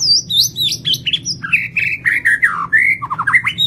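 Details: Lampung white-rumped shama singing vigorously (gacor) with a complete isian fill-in repertoire: a fast run of varied whistled slides, high sweeps falling to lower buzzy, warbled notes, delivered without pause.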